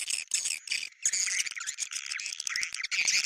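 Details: Swiftlet calls of the 'bintang utara' style, used to attract swiftlets: a dense, nonstop stream of high, chattering twitters and shrill chirps overlapping throughout, with brief gaps between bursts.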